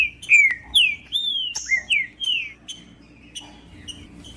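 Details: Green-winged saltator (trinca-ferro) singing in the aggressive 'macheando' style, used to warm up other birds: loud, clear whistled notes that slur downward, several phrases in quick succession, then quieter short notes with faint background hum.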